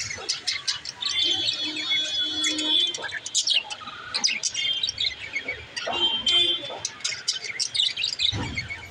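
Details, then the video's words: Pet budgies active and singing: a busy mix of warbled chatter, sharp chirps and scratchy buzzing notes from several birds, with clicking and rustling noises throughout. "Active birds l Birds singing"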